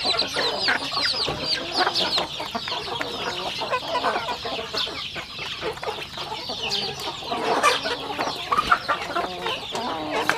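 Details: Several rural chickens feeding on a home farm, with continuous mixed clucking and thin high chirps blending into a busy, unbroken flock chatter.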